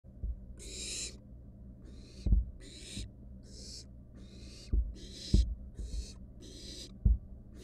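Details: Wild barn owl nestlings in a monitored nest box, one standing on a mouse and resting. About nine harsh, broadband hissing bursts, each about half a second, come in an uneven series. Low knocks and scuffling thumps from movement sound in between.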